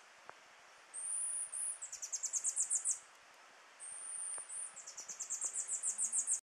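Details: Near-endemic Tanager Finch in the western Andes at Montezuma, Colombia, recorded in May: very high thin whistles followed by a rapid accelerating series of sharp, high notes, given twice; faint rustles and a distant low sound.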